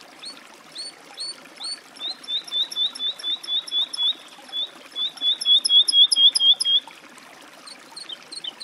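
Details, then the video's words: Woodlark song: a few separate slurred notes, then a slow, even series of clear whistled notes about twice a second, a brief pause, and a louder accelerating run of repeated notes. "Голоса птиц. Жаворонок лесной (Lullula arborea)"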